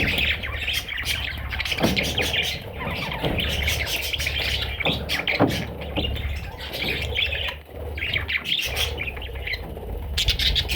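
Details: Little parrot babies keep up a busy stream of thin, high tweets and chirps, steady for most of the stretch. A low droning rumble and occasional clattering sit behind them.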